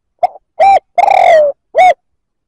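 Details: Spotted dove coo phrase meant to provoke rival males: a short faint lead-in note followed by three mellow hollow coos, the middle one long and gently falling, over a silent background.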